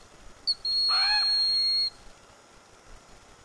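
A Broad-winged Hawk gives a brief high note, then a thin, long, steady whistle lasting about a second, falling slightly at the end; faint chirps sound underneath.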